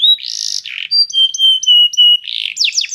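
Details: Canary singing as a training song to teach canaries: loud varied phrases with buzzy rolls, a series of clear pure whistled notes, then a harsh burst and rapid descending sweeps.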